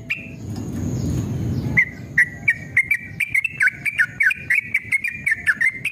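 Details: Yellow-vented bulbul song used to provoke caged birds into singing: after a low rumbling opening, a rapid series of short bright whistled notes repeats about every third of a second, some dipping and rising.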